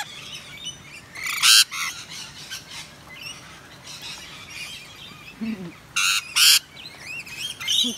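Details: Wild rainbow lorikeets in eastern Australia, wet from the rain at a balcony: scattered soft chatter broken by a few loud, harsh squawks in two close pairs, with quieter twittering between them.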